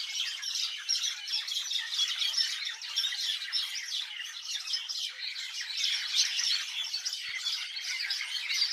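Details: Birds chirping in a village, a thick chorus of sharp, high chirps and squeaky twitters running continuously with no gaps.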